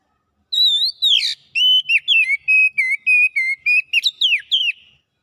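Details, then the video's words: Kacer, the Oriental magpie-robin, in lively gacor song displaying its repertoire: a rising-falling whistle, then a fast run of short, clear whistled notes about five per second, ending with downward slurs. No other sounds. "KACER MALAS BUNYI NYAUT GACOR BONGKAR ISIAN"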